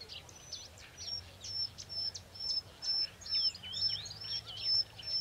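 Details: Bluethroat answering playback of a rival's song in territorial defence: clear, high, thin whistled notes repeated roughly twice a second, interleaved with scratchy rising and falling twitters.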